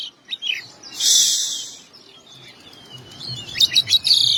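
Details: Oriental magpie-robin singing with imitated notes: a loud harsh hissing rasp, then quieter sliding whistles and a quick run of sharp chirps near the end.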